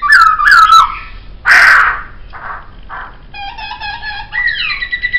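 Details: Laughingthrush in a master recording: sharp whistled notes, a harsh rasping burst, two softer husky notes, then steady harmonic tones rising into a clear held whistle.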